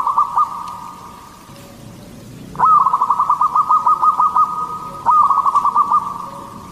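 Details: Song of a local Katuranggan Cendolo Sabdo zebra dove, a frequent singer used as a lure for other zebra doves: short rolling coo at the start, then two longer bursts of fast, pulsed cooing notes separated by a brief pause.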